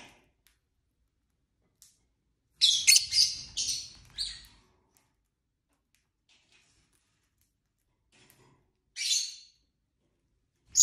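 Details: Several pet lovebirds indoors during singing, chirping and fighting: clusters of shrill, raspy high chirps around the third and fourth seconds, a faint low rumble beneath them, then another scratchy squawk near the ninth second and a last sharp note.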